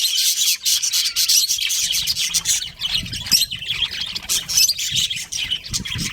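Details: Budgies chirping in a colony that includes a breeding pair: busy, high-pitched twittering and buzzy warbles pour out nonstop, with a few sharper chirps standing out near the middle.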